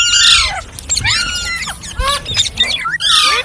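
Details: Green parrots, several birds, giving a run of sharp, harmonic squawks and squeals, some falling and some sweeping up and down, in quick bursts over a few seconds, with a faint low rumble underneath.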